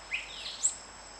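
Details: Spot-crowned euphonia singing: a brief slurred note rising from mid pitch, a soft sweeping glide, then a sharp, very high thin note, all within a second over a steady high hiss.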